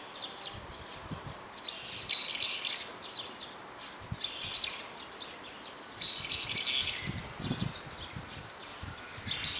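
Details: In daytime, several brown-eared bulbuls call in about four different call types, giving shrill, harsh squealing calls in short bursts every two seconds or so, over a steady outdoor hiss and scattered low thumps.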